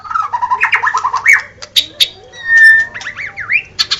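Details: Song of a white-rumped shama, mixing fast slurred whistles, buzzy notes and a long level whistle, followed by looping up-and-down phrases over a faint steady hum.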